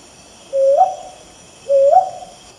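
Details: Brown hawk owl calling at night: two rising, hooting notes about a second apart, each a low steady hoo that swings upward at the end, over a quiet background with a faint steady hum.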